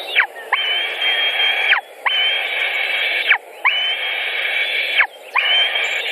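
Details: White-tailed eagle nest in Latvia, June 2019, afternoon feeding with pike: four long, steady, thin whining calls, each held just over a second before falling abruptly, repeated at regular short intervals against a low continuous rumble.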